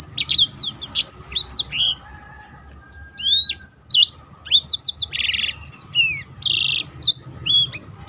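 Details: Black-throated canary singing to stimulate and train other birds: bursts of sharp whistles and buzzy notes, a short pause near two seconds, then more rapid varied phrases over low background noise.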